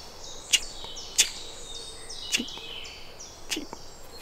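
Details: Great spotted woodpecker nestlings calling for food from their nest at Devenish Nature Reserve, Woodford valley near Salisbury, Wiltshire, UK, on a morning; a high, shrill, steady chatter of repeated notes, broken by a few sharp clicks.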